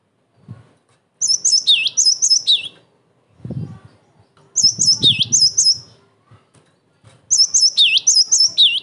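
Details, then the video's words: Cinereous tit song used to provoke other tits into answering and to train them: three separate phrases of high sharp chips and dipping slurred notes, each about one to one and a half seconds, separated by pauses with low thumps. "TIDAK ADA SEMENIT GELATIK BATU MANAPUN PASTI NYAUT"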